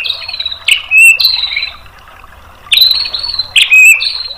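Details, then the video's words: White-rumped shama tutor song meant to stir a bird into replying: loud clear whistled phrases with sharp sliding notes, a brief silence, then the same bold whistles repeated. "MASTERAN MURAI BATU memancing EMOSI jadi NYAUT GACOR BONGKAR MATERI TEMBAKAN | PANCINGAN MURAI"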